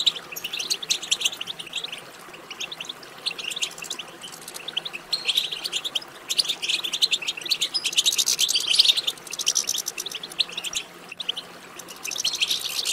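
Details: European goldfinch twittering song played to stimulate goldfinches into singing: long run of rapid, high chirps and trills, building to a dense, loud passage around eight to nine seconds.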